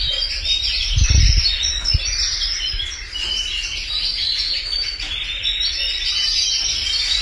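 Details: Multiple canaries singing, a constant wash of rapid high twittering and warbled trills, with a short low thud early on.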